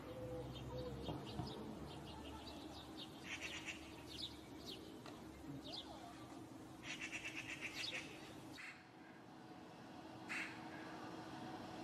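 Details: Alarm chatter from a pair of Eurasian magpies nesting in a courtyard in spring: several dry, rapidly pulsed rattling bursts, strongest midway, separated by quieter gaps with a constant low hum beneath.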